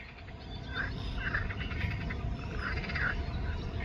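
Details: Eurasian coot (Fulica atra) at Škocjanski zatok Nature Reserve, Slovenia, on the evening of 14 June 2024 around 20:29, giving four short, abrupt mid-pitched notes in two loose pairs over a steady low rumble.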